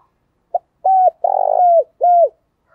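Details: One cooing phrase from a caged decoy spotted dove in the rustic voice style: a short soft note, a steady coo, a long rolling purr gliding downward, then a last clear dropping coo.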